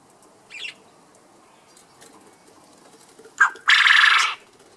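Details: Male Japanese quail calling for a mate: a soft short note, then a loud, harsh, raspy burst lasting about half a second, over a quiet background.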